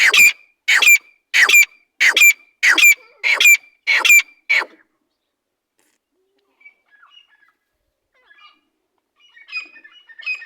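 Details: Partridge (teetar) kept by its owner, giving a series of eight harsh, loud, grating notes repeated roughly every half second, then falling silent, with faint chirps and scuffles afterwards.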